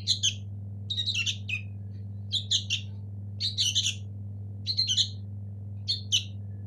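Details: Sooty-headed bulbul nestlings of local origin utter short clusters of scratchy chirps every second or so, with brief quiet gaps and a low steady hum.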